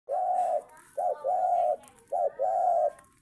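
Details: Spotted dove song: three paired coos, each a short note followed by a longer, steady, hollow coo, repeated roughly every second, clear and loud with little background.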